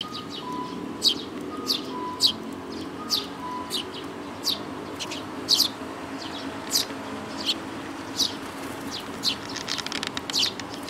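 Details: Eurasian tree sparrows with their chicks: short sharp chirps at irregular intervals, some in quick doubled bursts, over a steady low hum, with a faint thin tone in the first few seconds.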